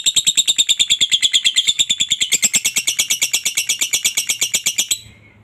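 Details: Long ngekek chatter of a lovebird, used as a lure to get other lovebirds calling. A fast, even string of piercing, grating notes lasts about five seconds before cutting off.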